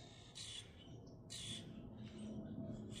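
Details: Grackles in Minnesota giving harsh, buzzy squawks: three broad, noisy bursts about a second apart over a steady low rumble.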